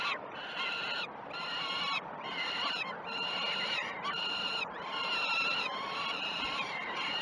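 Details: Young peregrine falcons at a Great Spirit Bluff nest, filmed on 12 June 2018 at feeding time, give loud, ringing, harmonic wails about a second each, several in a row separated by short gaps, steady background hiss.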